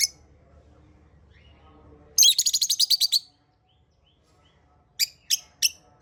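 Lovebirds give a rapid run of sharp, high chirps, then a few spaced shrill notes.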